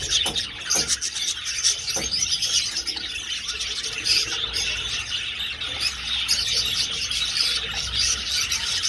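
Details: Crowded budgerigar chorus in an old aviary as the birds fly about: continuous thin chirping, squawks and warbling, with a few knocking sounds early on.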